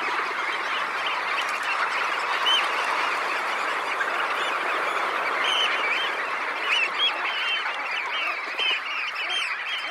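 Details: About 20,000 red knots lifting off from a high tide roost, recorded close: a thick, continuous wall of clipped, mid-pitched calls with a few clearer notes poking through the din.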